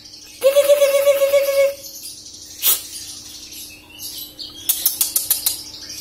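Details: Caged young greater green leafbird just past its speckled juvenile plumage, awaiting moult: a sustained, buzzy mid-pitched note of about a second, then a pause and a quick stuttering burst of short notes.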